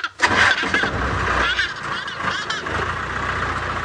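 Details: A vehicle engine starts and idles loudly while people talk over it, with no animal call heard.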